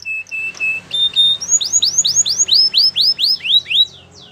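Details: Canary song meant to train other canaries: a few steady whistled tones, then a rapid run of arched, falling whistled syllables that fade out at the end.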